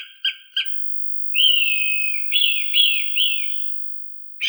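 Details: Hawk call played to scare away crows: short whistled notes, then a long high scream at a steady pitch that breaks into several downslurred squeals, with silent gaps between bursts.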